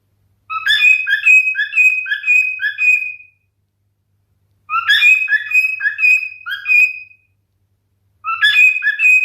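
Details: Singing male cockatiel kept as a pet: bursts of bright whistled notes, each about two to three seconds long, stepping up and down and ending on a longer held whistle, separated by silent gaps of several seconds.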